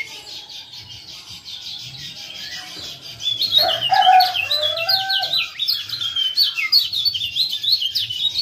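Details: Male Lemon-bellied white-eye from Lombok, used as a lure to get silent birds singing, giving rapid, high, thin chirps in dense bursts, several notes each second, with a lower sliding whistle and faint background hum.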